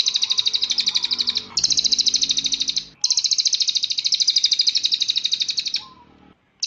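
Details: Song of a cililin for training birds to sing: repeated stretches of fast, shrill, beating trills, each a second or more long, over a faint low hum.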